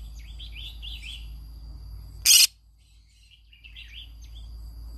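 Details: Every morning a green-cheeked conure sings: a burst of squeaky chirping chatter, then one loud harsh screech, followed by a short stretch of quiet and more soft chirps.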